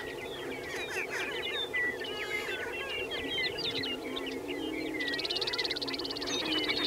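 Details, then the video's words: Many prairie chickens lekking at Fort Pierre National Grasslands, South Dakota, cackle, whoop and squeal in rapid overlapping bursts above a steady low, hollow booming hum. "Prairie Chicken Promenade"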